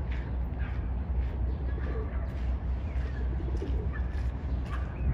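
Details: Pigeon; courtship coo; courting a female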